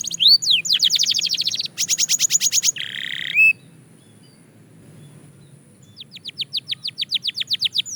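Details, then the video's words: Belgian canary singing for song practice: fast high trills, a bright buzzy rattle, and a lower harsh burst, then a pause before a new run of rapid rising whistles. "Shocking Canary Singing Progress – You’ve Never Heard This Before!"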